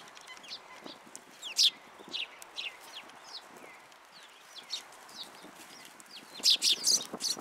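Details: Flock of sparrows arriving at a raised feeding platform at a Tenmangu shrine on 14 February 2023; scattered high twittering chirps throughout, with one loud chirp early and a dense cluster of loud chirps near the end.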